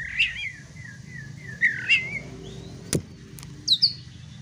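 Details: Oriental magpie-robin song meant to trigger fighting: repeated warbled downslurred phrases, then two sharp clicks and a brief high double note at the end, over low steady hum.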